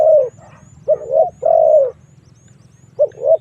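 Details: Spotted dove cooing used as a lure to draw wild doves into a fight. Mellow low notes come in short-then-long pairs with gaps between, over a dull background hum and faint high chirps.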